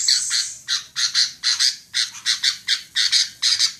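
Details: Harsh squawking notes of a female sooty-headed bulbul, spaced a little more slowly at about two per second. The series opens with a high thin squeal.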